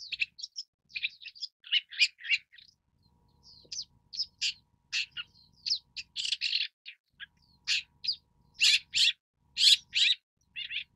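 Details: Long-tailed Shrike, Lanius schach, a species of Central, South and Southeast Asia, China and Taiwan: a busy run of short harsh notes and chattering phrases, loud bursts packed closely with brief pauses, no other clear sounds.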